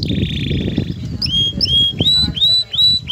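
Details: Excited male canary with a female: a short trill followed by clear upslurred whistles repeated about every half second, partly masked by loud low rumbling background noise.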